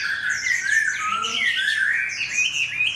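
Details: Competition Chinese hwamei, caged and set next to a fighting bird, tail fanned: rapid, dense stream of bright whistled slurs and twittering notes, with a brief lower wavering tone in the middle.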